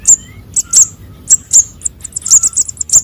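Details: Sunbird young giving begging-type calls used to lure birds: sharp, very high squeaks repeated irregularly, about once or twice a second, quickening into a dense twittering run near the end.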